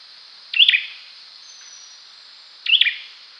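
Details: Two crisp high chirps from an olive-backed sunbird, roughly two seconds apart, each a rapid upward-twisting note ending in a short rasp, with steady background hiss.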